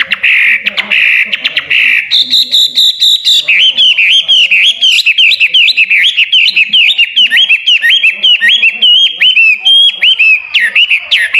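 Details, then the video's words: Hwamei singing loudly, used for training songbirds: after a few rough buzzy notes, a long fast run of clear whistled slurred notes rising and falling, rapidly repeated and varied. "Wambi HWAMEI gacor!!"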